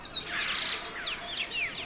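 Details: A Dunnock, unseen, sings from broom scrub outside Cantabrian beech forest in Picos de Europa, Spain, marking its territory with a quick, high, scratchy warble of tumbling notes; faint woodland noise and other distant birds.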